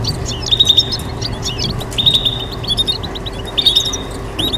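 A goldfinch mule gives bright, high chirps and short twittering bursts, repeated in quick clusters.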